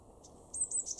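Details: Eurasian blue tit, a garden bird in Weener, East Frisia, Germany, in February: a faint faraway note, then a run of four or five thin, very high, short calls close together near the end.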